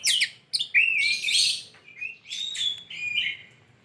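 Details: Chattering lovebird, called lively and melodious: a dense burst of shrill, squeaky chirps and a long rising-falling whistled note, with brief pauses between rapid high notes.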